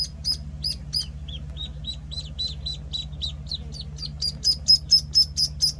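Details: Week-old Penciled Call ducklings give softer, lower downslurred cheeps that build into loud, sharp, high peeps in quick succession, over a continuous low hum.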